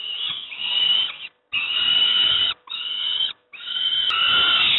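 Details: Breakfast time for young peregrine falcons at Moszna, Pruszków, Poland: four rough, buzzy begging screams about a second long, separated by clean short silences.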